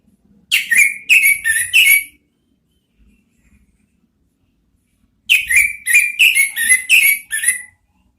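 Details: Orange-headed thrush in ngeriwik twittering style, played as lure therapy: a rhythmic series of four sharp downslurred whistles, about three seconds of silence, then a longer run of six or seven similar rapid notes.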